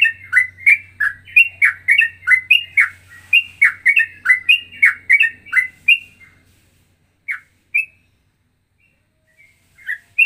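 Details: Ropelan-style song of a straw-headed bulbul, mixing Cucak Rowo and trucukan-like phrases: six seconds of fast rolling whistles over a faint low hum, then a pause broken by a few single notes.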